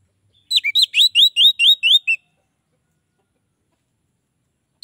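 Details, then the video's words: Orange-headed thrush, whose song pulls in rival orange-headed thrushes, delivers around nine quick, downslurred chirping notes in a tight burst, then silence. "Anis merah lain pasti akan terpancing bunyi"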